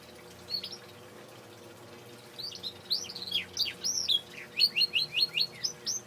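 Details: Male canary singing indoors: after a few scattered notes, a quickening run of sharp down-slurred chirps, then a steady series of matching notes repeated about three per second, over a faint low hum.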